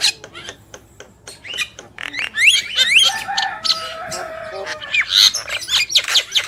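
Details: Black-winged myna pair, male and female, giving a dense jumble of harsh rasping notes, clicks and a few sharp upswept whistles, with a sustained buzzy wash in the middle.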